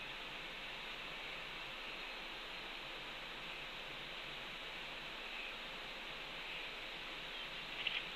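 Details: A steady broadband hiss like rushing water or wind fills the recording, with no animal calls heard.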